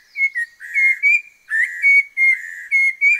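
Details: Orange-breasted laughingthrush, endemic to the Langbian Plateau highlands in southern Vietnam, delivering rapid strings of bright level whistles mixed with harsh buzzy notes in a quick, slightly uneven rhythm.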